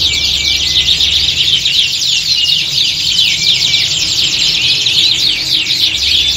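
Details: Several caged canaries singing together in a contest-like setting meant to train them for singing competitions. The song is a dense, continuous chorus of fast, high buzzy trills and sweeping whistles, with a low hum underneath.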